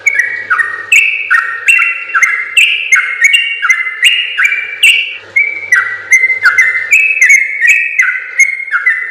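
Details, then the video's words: Long stretch of yellow-vented bulbul song, played to train other birds: rapid, chattering whistled notes climbing and dropping in repeated pairs, about three per second, with soft ticking behind in places. "suara burung trucukan gacor ropel panjang terbaik"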